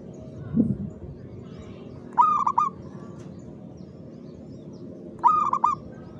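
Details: Zebra dove (perkutut) in lively, rhythmic song: two short stuttering, trilled cooing phrases about three seconds apart, each under a second long, over a steady low background hum.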